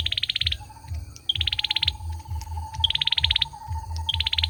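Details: Male olive-backed sunbird song of fast, dry, high-pitched trilled bursts, about four in the stretch, with a thin, even, lower pulsing line running underneath and constant low background rumble.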